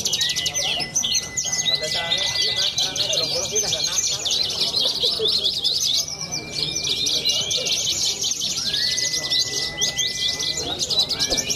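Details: Young Horsfield's bushlark from central Cilacap, Java, Indonesia, a songbird-contest bird, pouring out a dense, rapid stream of high chattering notes, with long steady whistled tones running beneath and faint lower chatter in the background.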